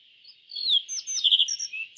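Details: Short yellow bunting phrase of bright, high, down-slurred whistles followed by quick thin trilled notes, all over a constant high-pitched hiss in the background.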